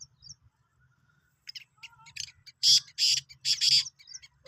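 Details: Black francolin (Sindhi kala teetar), recorded 16 March 2023: after faint scattered chirps and a low hum, one burst of four loud, harsh, grating notes, closely spaced, with a few softer whistles before it.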